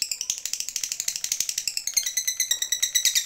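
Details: Lovebird of the fighter type calling a rival with a long ngekek chatter: a dense, rapid, high buzzy rattle of notes about nine per second, shifting pitch partway through, with faint clicks beneath.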